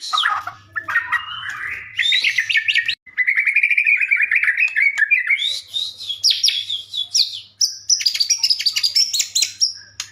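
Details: White-rumped shama singing loudly, played to provoke other shamas into answering; a long, varied stream of fast rising and falling whistles, chattering trills and high squeaky notes with brief pauses between phrases.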